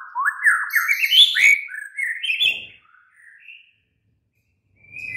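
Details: White-rumped shama singing at night, a lure song meant to make a kept bird answer and sing at length: rapid varied whistled phrases sliding up from low to high, then sparse high notes after a pause.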